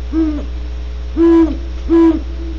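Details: Great horned owls recorded at Audubon Starr Ranch, California, giving a faint hoot followed by two strong, flat, sustained hoots about two-thirds of a second apart, over a low steady hum.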